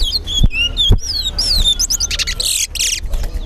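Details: Chestnut-bellied seed finch (towa towa) singing at a bird club whistling competition in Linden, Guyana, two birds matched: sharp high whistled notes, some slurred upward and downward, in quick succession, with a person counting aloud, music and bursts of crowd noise.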